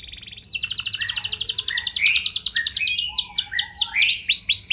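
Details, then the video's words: Lively canary singing, used as a lure to set other canaries singing in response: a sustained high rattling trill over softer lower warbles, breaking into rapid down-slurred rolled notes. "Burung Kenari Kondisi Apa Saja Bisa langsung Respon Dengan Pancingan Kenari Gacor Satu Ini"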